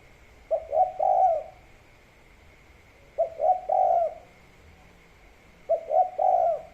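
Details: Spotted dove singing kuk 3 phrases by rice paddies: three-note coos, two short notes leading into a longer rounded one, repeated roughly every two and a half seconds with quiet gaps between; faint steady hum underneath.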